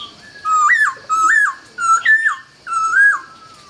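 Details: Laughingthrush singing at dawn: four loud, clear whistled phrases, each a level note that rises and then slurs sharply downward, repeated every 0.7 to 0.9 seconds over a faint, steady high hiss.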